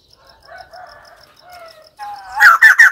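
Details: White-crested laughingthrush with soft drawn-out wavering notes, then three loud abrupt cackling notes at the close.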